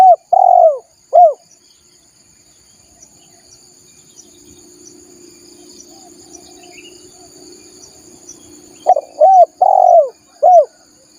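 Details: Spotted dove lure call for drawing in wild doves: two low, hoarse coo phrases open, then a quiet gap, and another phrase of short and drawn-out arched coos follows near the end; faint steady high insect-like whine throughout.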